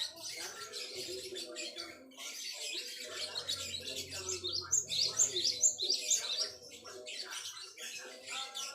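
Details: Java sparrow known locally as gelatik wingko, song meant as a tutor for training songbirds: bursts of high, dense twittering with short bell-like notes clustered in the middle, pausing between runs of chirps; faint low hum underneath.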